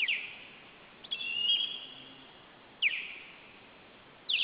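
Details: Osprey near its nest, July 2012, a day after ringing, with an intruder about: thin, slurred, descending whistles, each held briefly, repeated every second or two over steady background hiss.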